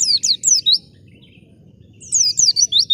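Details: Wild white-eye used as a lure for other white-eyes: two short bursts of high, quick downslurred chirps separated by about a second of near silence, with a low background hum.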